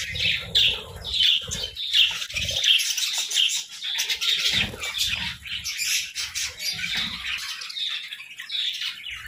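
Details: Parakeets chirp through a morning chorus, sharp repeated squeaky notes over a steady bed of soft warbling, the louder chirps recurring roughly every second.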